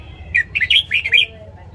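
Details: Caged red-whiskered bulbul giving its morning song, used for training other caged birds: one quick phrase of four or five bright, slurred whistled notes, rising and falling, over faint low hum.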